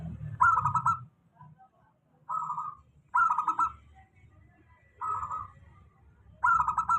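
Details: A local zebra dove repeats its steady lure song for poorly singing doves: five short, trilled coo phrases, about every one to one and a half seconds, in a fairly quiet setting.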